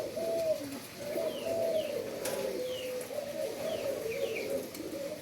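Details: Indonesian endemic dove at a breeding site utters low, soft coos in a steady wavering series, with thin high descending chirps from other birds scattered behind.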